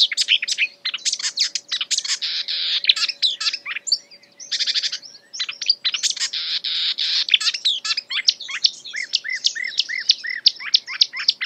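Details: Imitations by a marsh warbler, a chattering, scratchy torrent of mixed phrases with short pauses, ending in a series of rising whistled chirps.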